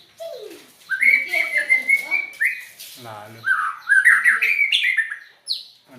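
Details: White-rumped shama giving odd, varied song: long sliding whistled phrases, a low rasping buzz midway, then rapid fluty runs and a final high thin note.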